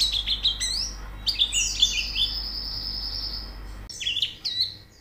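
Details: Training recording of White-eye song: dense, squeaky twittering with sweeping high notes, a cut after nearly four seconds, then a few more sharp chirps over faint background hum.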